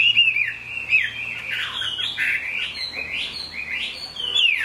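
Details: Kept Chinese hwamei in rain, singing loud, sweeping whistles that slide up and down, linked into flowing, slightly buzzy phrases.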